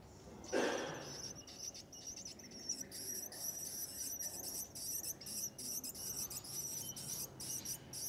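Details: Nest of willie wagtail chicks calling as they are fed, with a brief louder rustle at the start followed by a run of sharp, high-pitched squeaks in quick succession against constant background hiss.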